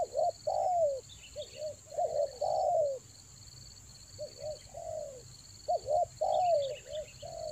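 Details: Spotted dove lure call for the rainy season in the Toba style, with paired bouncy notes and a long falling coo repeated in phrases. Faint chirps from other birds and a steady high whine.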